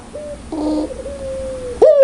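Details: Spotted dove, pelung style, with loud, clear coos: a short note, then a stepped tremulous phrase, a long level sustained coo, and a sudden sharp rising note at the end.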